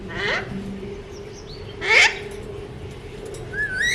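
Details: Captive Alexandrine parakeet of a colour mutation gives two rough, scratchy squawks about a second and a half apart, with a steady low hum and a rising whistle from another bird at the end.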